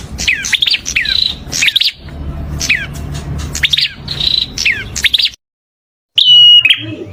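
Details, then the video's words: Melodious prinia song, described as calming: bursts of rapid descending chirps mixed with steady high whistles, repeated in phrases, then a short silence and an abrupt louder burst of chirps and whistles; low hum underneath. "Kicau Merdu Burung Perenjak"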